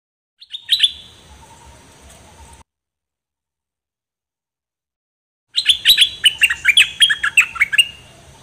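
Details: A Dok Taeng bird sings in a recording meant for training young birds and exciting them: a brief chirp, then, after silence, a dense, fast series of high, sliding notes.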